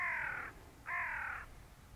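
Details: Greylag goose at close range: two loud, harmonic, nasal honks, each about half a second long and steady in pitch, separated by a short pause, against quiet low background rumble.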